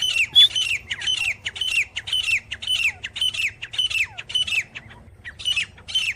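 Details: Grey francolin, locally gora teetar, repeating strident squawking notes at an even pace of about two per second. The series has a brief lull near the fifth second, then resumes with two more harsh notes over a faint low drone.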